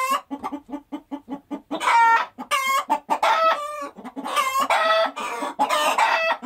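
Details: Hens cluck in a steady run of short low notes, then burst into repeated loud, drawn-out cackles that rise and fall, several birds calling over one another.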